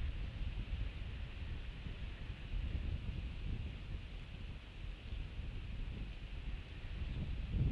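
Steady low wind rumble and rustling, with no animal calls.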